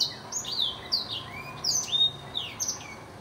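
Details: A singing blackthroat delivers bright, high, swooping whistles mixed with a lower, rising slur in the middle, the phrases separated by brief pauses.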